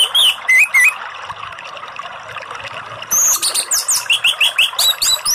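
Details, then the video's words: Orange-headed thrush song played to coax a captive bird that has stopped singing: bright, rapid chirping and whistled phrases in bursts, a quieter gap, then a dense run of sharp repeated notes, over a steady background of trickling water. "Terapi dan MASTERAN ANIS MERAH || Pancingan Anis Merah macet bunyi"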